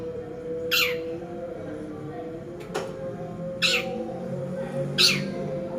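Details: Training-lure recording of a cendet, the long-tailed shrike: three harsh, raspy single notes spaced a few seconds apart, with a faint steady tonal hum in the background.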